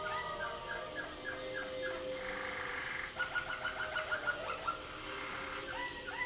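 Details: Waterslager canary competing in the 2011 WWC contest, caged: short repeated gurgling notes, a burst of chatter, then a rhythmic run of about nine knocking notes, ending with sliding phrases.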